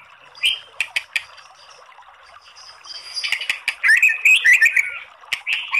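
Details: White-rumped shama giving a few sharp clicks, then a loud burst of varied chattering and whistled notes, used as a lure to provoke singing.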